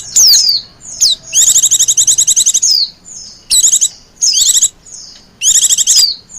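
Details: White-eye calls for luring wild white-eyes. A falling whistle opens, then a long burst of rapid, piercing chirps follows, with shorter chirp bursts and more downslurred whistles after pauses.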